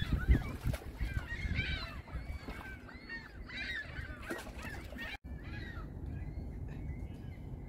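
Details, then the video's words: Large group of gulls at a lake on a spring day, giving a busy overlapping series of nasal, arching squeals and mewing calls, several callers at once, over steady low lapping water and outdoor rumble. "Seagull sounds at the lake and calm waters"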